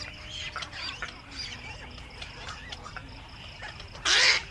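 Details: Black-crowned night heron returning to its nest in the evening; one loud, harsh, broadband squawk lasting under half a second near the end, over a steady background of many faint clicking and chattering calls.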